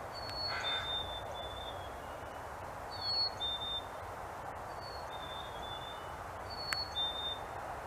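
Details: Black-capped Chickadees singing their clear two-note fee-bee (cheeseburger) song to each other, a high note dropping to a slightly lower one, repeated about every two seconds over a steady rush of background noise.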